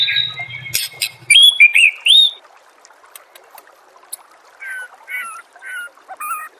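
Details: White-rumped shama from a songbird training master recording: a burst of loud, looping whistled notes with clicks and a low hum underneath. Softer whistled phrases follow after a quiet pause.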